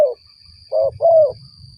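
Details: Spotted dove coo used in luring its kind for trapping. The end of a falling coo is followed by a pause, then a short mellow note and a longer, level-then-falling coo.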